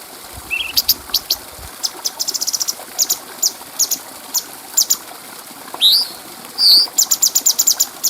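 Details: Cucak cungko bulbul, recorded clearly as a tutor track for training other birds: scattered high ticks and short click runs, with two rising whistled notes near the end followed by a quick clicking burst.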